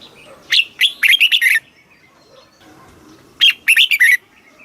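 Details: Thai red-whiskered bulbul kept caged, singing southern-style master song played to stimulate birds: two phrases of rapid, clear whistled notes, the first longer, separated by nearly two seconds of quiet.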